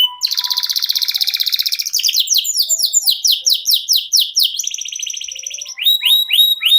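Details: Rolling 'ngerol' song of a caged canary kept to tutor competition birds: long dense buzzy trill, rapid repeated descending slurs, a second buzz, then clear rising whistles at the end.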